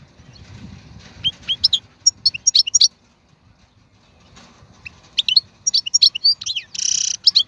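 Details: Wild European goldfinch of the 2022 season giving scattered sharp chirps and short twittering phrases, ending in a buzzy rasp, over steady low background noise.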